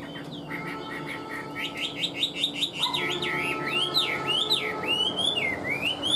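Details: Chinese hwamei, a caged songbird, giving a fast series of bright repeated whistles that build into long looping, wavering phrases.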